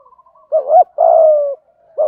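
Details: Spotted doves, both sexes, cooing to lure wild birds. Soft lead-in murmurs, then a low wavering coo and a long steady falling coo, with the next phrase starting at the end.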